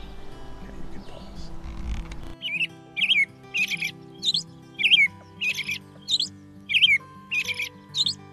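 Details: American robin (Turdus migratorius) sings a steady series of short, clear caroling phrases, about one every half second, over soft background music; robins sing to claim territory and to attract a mate.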